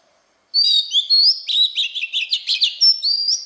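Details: Oriental magpie-robin delivering the wild-type forest voice used to stimulate new birds: after brief silence, bright upslurred whistles and a fast stuttering series of crisp chirps, ending with clear rising whistled notes.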